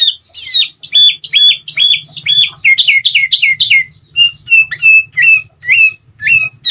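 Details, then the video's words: Sooty-headed bulbul singing continuously, played as training audio so other birds answer and canaries come into breeding condition. Bright hooked whistles repeat in quick succession, then sharper clipped notes, over a faint low mechanical hum. "masteran burung kutilang auto gacor dan nyaut"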